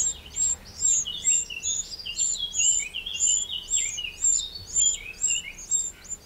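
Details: Eurasian wren, garden in the Châtillonnais area of Burgundy, France, 2 June 2023: steady rapid run of piercing high notes, about two per second, underlain by descending chattering chirps throughout.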